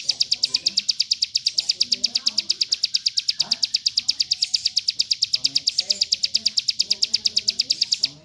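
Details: Hill prinia in a dense rapid-fire burst, used to tutor other birds: a long run of sharp, high, evenly spaced notes at about six to seven per second, steady throughout, with faint low background murmur.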